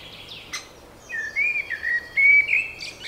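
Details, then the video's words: Spring birdsong: a sharp chirp, then a string of clear whistled notes, each slurred upward, delivered in quick bursts with a quiet hiss behind. "Wiosenny śpiew ptaków"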